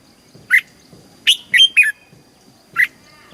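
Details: Red-whiskered bulbul from Thailand, a caged songbird, singing in the southern master style, played to excite caged birds and teach young ones: a few short, clear whistled notes with bright sliding accents, spaced irregularly over a quiet background.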